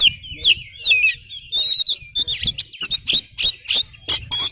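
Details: Oriental magpie-robin in lively song with tail fanned, meant to make any listening magpie-robin answer at once; loud, clear whistled trills and sliding notes broken by sharp staccato chips, background otherwise quiet.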